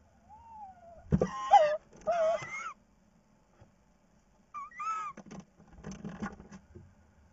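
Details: Tawny owl, evening of 10 March 2019, bringing a mouse as food, giving two bursts of nasal, wavering, harmonic calls with a faint falling whistle at the start; low hum underneath.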